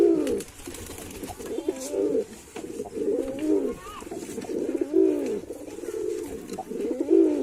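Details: White male pigeon giving a run of deep, swelling coos that rise and fall, about every one to two seconds, over low indoor background noise.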